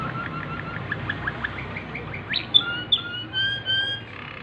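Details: A Waterslager canary singing at night gives a quick run of soft repeated notes, then a sharp rising whistle and bubbling, water-like trills, over a low background hum.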